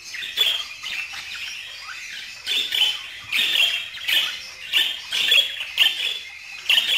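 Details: Loud budgerigar chatter made of dense, scratchy warbled phrases and clipped squawks in uneven bursts, with brief quieter gaps between groups.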